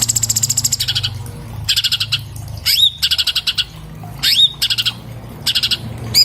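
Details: Orange-bellied leafbird, Chloropsis hardwickii, recorded on an iPhone for cage-bird training, delivering bursts of rapid buzzy chips broken by drooping slurred whistles, phrases repeating every second or so over low background hum.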